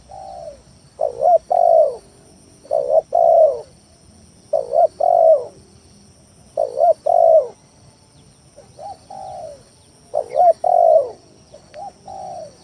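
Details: Spotted dove lure song used to provoke rivals and stir quiet doves into calling; mellow low cooing phrases, each a soft opening coo, a wavering double coo and a long falling coo, repeated about four times, faint steady high hiss.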